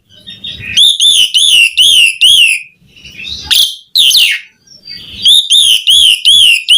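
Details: Asian pied starling singing gacor-style with full fills. Runs of loud, wavering whistled notes, each rising then falling, are broken midway by two harsh, sliding squeals before the whistles resume.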